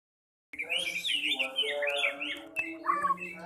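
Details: Songbirds at a noisy, crowded bird singing contest in Indonesia: bright, fast warbled phrases with rising and falling whistles, continuous after a brief silence at the start, over a steady low hum and crowd background.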